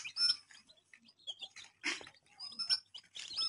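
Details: Baby chicks chirping: scattered high, falling peeps mixed with brief rustles and knocks, then a louder run of sharp chirps.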